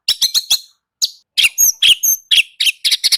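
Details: White-rumped shama giving harsh, scratchy, high chattering notes in quick irregular bursts, about four per second, with short gaps between groups.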